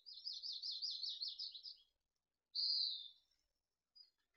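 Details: Mountain chickadee nestlings in Truckee, from a brood of six hatched in June 2020, calling in the final moments before fledging: a high, quavering buzzy trill for about two seconds, then a shorter smooth high buzzy note, with a faint third note at the end.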